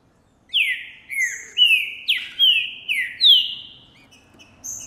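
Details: Singing male green-winged saltator, 'Boi' type, recorded in January 2024 while displaying toward a female: six rich whistled slurs, mostly falling, climbing in pitch through the phrase, then a thin high whistle after a pause.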